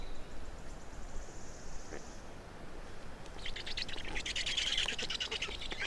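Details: Black storks feeding at an Estonian nest on 27 May 2019, 10:39 in the morning: quiet start with faint hiss, then a burst of fast rattling, pulsed squeaky calls in the second half.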